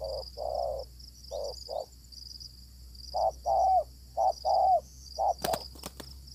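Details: During spotted dove luring, a fierce wild bird answers the decoy. Mellow short-long coo pairs repeat steadily, ending with a few sharp knocks. A high insect buzz continues throughout.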